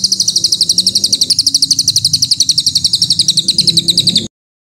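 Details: Harsh 'tembakan kasar' song phrases of a White-rumped shama, assembled as training material for songbirds: a high, dry, fast-ticking rattle repeated about four times a second and cut off suddenly, over a faint low background hum.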